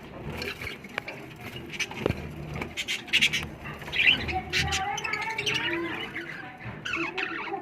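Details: Budgerigars, including chicks in a clay-pot (matki) nest, give busy, scratchy chirps and squeaky twitters in irregular bursts, with faint voices in the background.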